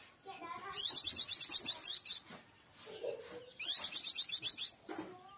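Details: A local "daput" Oriental white-eye with a fierce voice, used as a lure to draw in wild white-eyes, gives two bursts of rapid, high, scratchy twittering, each about a second long, with a few softer chips in between.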